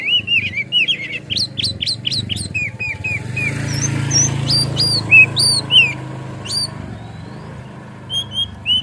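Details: White-rumped shama (kacer) song for provoking a kacer to sing and open its tail: a rapid series of sharp rising whistles, a pause with low rumbling noise, then scattered loud up-slurred notes.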